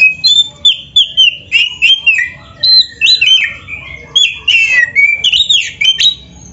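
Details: Kacer, the white-rumped shama, in full gacor song as a training lure: a continuous stream of varied whistles, quick slurs and sharp chips in shifting high phrases over a faint low background hum.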